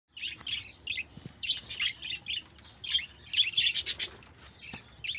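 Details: Pet budgerigars chirping, recorded 1 June 2024: a lively run of short, bright, high chirps in quick irregular bursts, some clustered into rapid chattering groups, with a faint low background hum.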